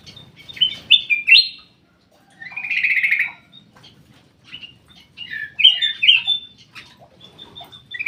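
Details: Black-crested bulbul in an aviary singing loud, rich whistled phrases: a quick warble, a buzzy sustained note, then bubbling down-slurred whistles, with short silent gaps between them.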